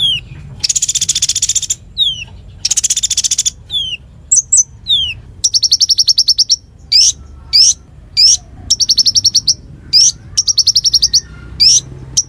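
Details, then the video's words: Lively konin song for tutoring magpie-robins and fighter birds: two long harsh hissing bursts open the phrase, followed by slurred rising whistles and several fast, even trills of ticking notes, each lasting about half a second, in a quiet setting. "Masteran Konin Gqcor Nembak Full isian"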